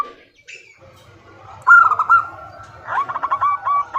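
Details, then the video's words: Female zebra dove calling a male, starting quietly with scattered faint notes, then a loud burst of quick cooing notes, a pause and a further run of short, evenly spaced notes. "Suara Perkutut BETINA Memanggil JANTAN || The sound of a female turtledove calling male."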